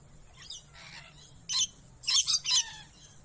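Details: Lorikeets in a zoo enclosure at Jacksonville Zoo, Florida, give harsh, rasping screeches, a burst followed by three quick grating notes, over faint softer chattering; deep squawks from another enclosure may sound in the distance.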